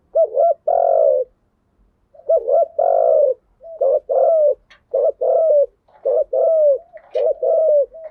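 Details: Spotted dove lure recording covering the full set of coo styles known in Vietnam as 'thúc gù' and 'gáy gọi', used to stimulate trained doves. Mellow, low hooting coos in short bursts, the phrases repeated steadily with brief silent gaps.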